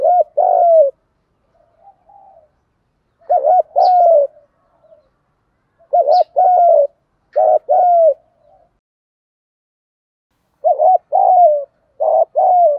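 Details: Spotted doves, male and female, calling in the gáy gọi and thúc style to stimulate other doves. Mellow cooing phrases repeat about five times. Each phrase has quick clipped notes and then a drawn-out, downslurred coo.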